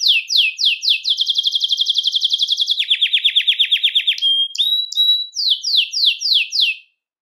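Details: Belgian canary song to attract and call canaries, with falling whistled slurs, a fast high trill stepping down to a lower rattling roll, brief clear notes, then more descending sweeps before silence.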